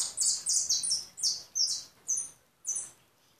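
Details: European goldfinch singing: bright, high twittering notes in short bursts, about seven phrases with brief gaps, the last two separated by a longer pause.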